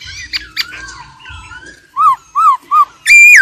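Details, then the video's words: Laughingthrush, an old wild bird, with a female trilling: soft mixed chirps at first, then three short arched whistles about half a second apart and a long loud level whistle at the end. "GIỌNG KHƯỚU già rừng, kích bổi căng lửa, khướu mái ro ro"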